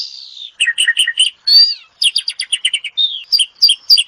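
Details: Asian pied starling song: a drawn whistle, then quick bouncing chirps, a rising slurred note and dense trills of sharp high notes repeated rapidly, bright and loud throughout.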